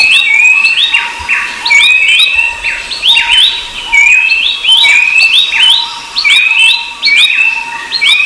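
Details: A rufous-browed babbler keeps up a continuous string of whistled calls, rising then level, with multiple overlapping voices or echoes giving a busy, ringing sound.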